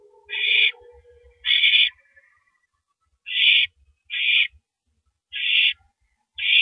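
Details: Owl tearing at a rabbit before downing it, early morning of April 9, 2012; six short, breathy screeching hisses in uneven pairs, with a faint low hum at the start and light rustling.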